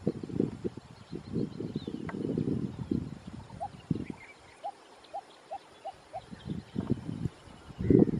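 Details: A lesser coucal in Kerala, India, gives a run of about six hollow, low hooting notes, roughly three per second, between heavy bursts of rumbling wind or handling noise; faint birds call behind.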